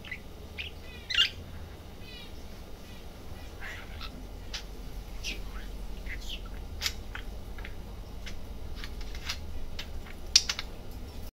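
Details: Pet-shop budgerigar muttering to itself: a long stream of soft chirps, rapid clicks and brief squeaky notes, with a few sharper peaks, against a constant low hum.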